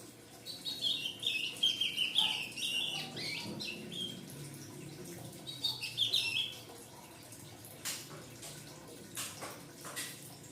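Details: Fledgling ultramarine grosbeak chirping in two quick bursts of high, twittering notes, followed by sharp clicks and taps near the end.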